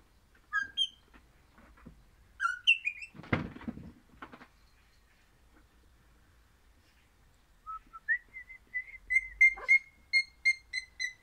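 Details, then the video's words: Crimson rosella of the orange variety: a few sharp whistled notes, a noisy rustling burst, a quiet pause, then a rapid series of pure, steady whistled notes repeated several times a second. "Happy Parrot Crimson Rossela Pennant Orange Singing"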